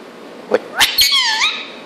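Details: A 2-year-old Indian ringneck parakeet gives a quick click, two harsh bursts, then a short speech-like phrase that dips and rises, in a small room.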